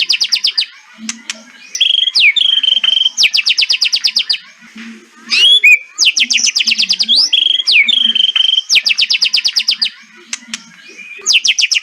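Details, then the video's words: Kretekan song of a white-rumped shama, used to get birds that stopped singing to sing again. Dense rattling runs of quick identical notes, each run a second or so, separated by swooping whistles and brief low murmurs. "100 % KRETEKAN MEMBUAT MURAIBATU GACOR LOSSS...... COBA SOLUSI BURUNG MURAI MACET BUNYI"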